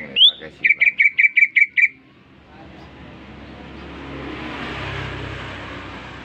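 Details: Newly bought caged greater green leafbird singing at once after being provoked by whistling: a rising note, then seven short, identical, evenly spaced chipping notes, followed by a steady traffic-like roar.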